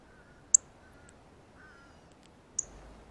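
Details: Close-up feeding chirps of a male Northern Cardinal having a banana and seeds at the feeder alone: two loud, high, clipped chips two seconds apart, with faint, lower, drawn-out whistles in the background.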